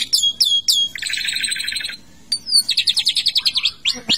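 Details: Asian pied starling in a bathing cage, singing its full varied repertoire: three quick high whistled notes, then a long buzzy warble, a downslurred whistle and a fast run of about ten rhythmic chirps.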